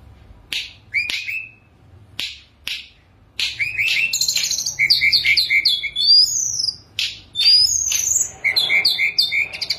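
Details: Sunda robin (tledekan gunung) singing while perched still, sharp separate notes first, then a dense run of high whistled phrases and varied chips with short pauses between bursts.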